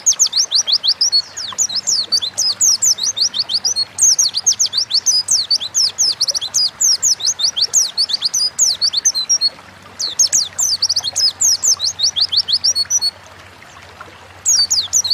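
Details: Oriental white-eye in full gacor ngalas song, intended as a training lure to get birds singing quickly: long runs of rapid, piercing, up-and-down slurred whistles, with brief breaks near ten and thirteen seconds.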